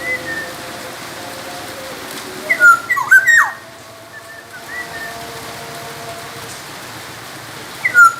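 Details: Black-naped oriole from Sumbawa, a recording used to train other songbirds: a short burst of fluting, slurred whistles near the middle and another at the end, over a faint steady hum and background whistles.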